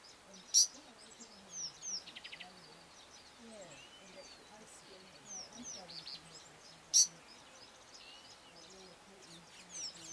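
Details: Masked weavers building a nest in Africa keep up a busy, high chatter of sizzling and twittering notes, with a few sharp clicks and a faint low murmur beneath.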